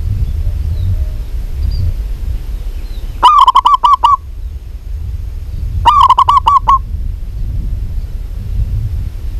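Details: Local zebra dove, called a lively singer, possibly a female calling a male: two loud, distorted phrases of five rapid rolling coos, each under a second long, about 2.6 seconds apart, over a low rumbling background hum.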